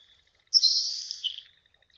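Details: Nelson's sparrow (Ammospiza nelsoni) song in a marsh: a single thin, airy, ephemeral hiss about a second long, like sizzling bacon, fading away without a definite end, hard to hear beyond about 100 m; a faint high tone runs beneath.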